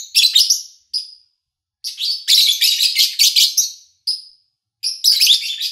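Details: Lovebird chirping from an August 2019 recording with little human activity; loud, grating chirp bursts mixed with short whistled notes, a long rapid chattering run in the middle, quiet background.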